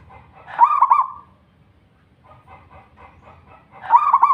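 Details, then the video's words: Local zebra dove in lively song, kept to coax other doves into singing: a phrase of fast, bubbling, stuttered coos, a quiet gap with faint murmuring notes, then the rolling coo phrase again. "perkutut lokal gacor / suara merbok suara perkutut merdu"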